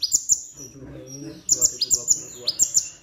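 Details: Plain-throated sunbird song with copied phrases of other birds. High, sharp downward-flicking chirps come in quick pairs and short runs, with faint lower sounds in the background.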